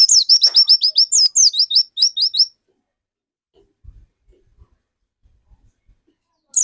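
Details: Pleci dakun white-eye, a lively singer used to draw other white-eyes into song; a fast, steady string of bright high chirps for over two seconds, then quiet with faint knocks and one final note.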